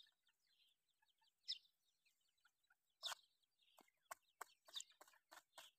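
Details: Young grey francolin chicks peeping: faint high chirps, then louder sharp peeps that quicken into a run of short clicking notes about every third of a second toward the end.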